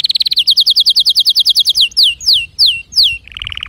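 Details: Canary song with a fast pulsing high trill. It gives way to steeply descending whistled slurs spaced about every quarter second, then ends in a lower, buzzy rolling trill.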